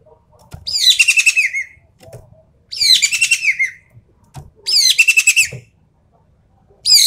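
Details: Javan pied starling in 'full tembakan' rapid-fire song, for testing champion birds' nerve: three long raspy, pulsing bursts, each about a second, roughly every two seconds, with a fourth beginning; light tapping underneath.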